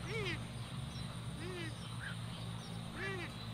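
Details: Purple swamphen observed outdoors: three loud nasal, arched honking calls spaced about one and a half seconds apart, each bending up then down, with a steady low background drone.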